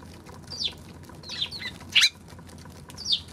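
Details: A Eurasian tree sparrow on March 16 repeats loud, squeaky chirps roughly every half second to second, one especially strong burst near the middle, over faint low hum.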